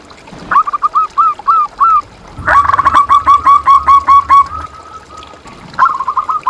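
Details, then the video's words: ['Zebra dove song for luring and rousing caged doves. Soft evenly spaced notes give way to a loud fast run of rolling coos, then a brief trailing phrase.'] "Suara Perkutut Pikat"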